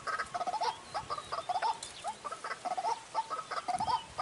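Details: White-breasted waterhen lure call for trapping, used in the dry season: soft, hooked mid-pitched notes repeated about once a second, with faint higher chirps from other birds behind.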